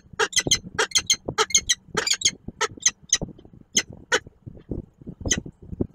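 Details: An adult peregrine falcon with its young at the nest, Koszalin, 10 March 2022. Harsh, grating squawks repeat rapidly, nearly twice a second, in a loud run, then thin into softer, spaced notes.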